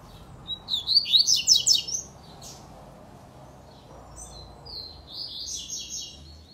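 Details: Double-collared seedeater sings its "tui-tui" song type: a fast burst of high, buzzy chirped notes for about a second, then softer, thinner twittering phrases after a short pause.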